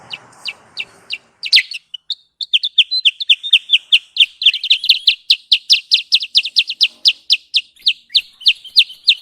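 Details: Trapping lure of the sooty-headed bulbul, called kutilang sutra: a few chirps over a low hiss, then a long, fast, evenly paced series of loud, high, sharp notes.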